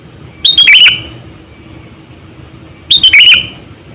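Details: An 8 to 9 year old lure sooty-headed bulbul repeats a loud bubbly phrase of rapid notes ending in a falling slur, twice, about two and a half seconds apart, against a quiet background and faint whine.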